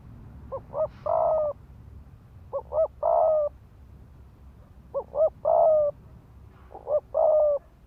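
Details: A ground decoy spotted dove gives thúc gù coos to goad males into fighting. Four phrases: two quick short notes then a prolonged steady coo, repeated at intervals of about two seconds.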